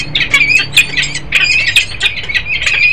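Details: Peregrine falcon pair at Harrisburg, Pennsylvania, 10 December 2020: a three-second flurry of loud, rasping, slightly whining notes, tightly packed and uneven in rhythm.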